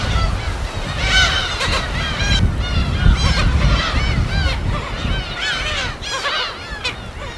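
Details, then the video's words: Gulls calling at their habitat on an uninhabited island in the West Sea of Korea: irregular clusters of overlapping cries, quieter toward the end, over a background of breaking waves. "갈매기소리 무인도 자연의소리 파도소리와 갈매기소리"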